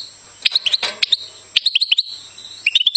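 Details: Goldfinch singing: bright high twittering phrases of quick rising chirps and sharp clicks, bursts separated by brief pauses, with a faint steady hum underneath.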